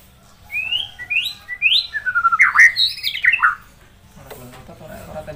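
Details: Master song of a white-rumped shama for training other birds: a rising series of upslurred whistles, then a dense burst of tumbling, varied whistled and harsh notes, ending with faint background noise.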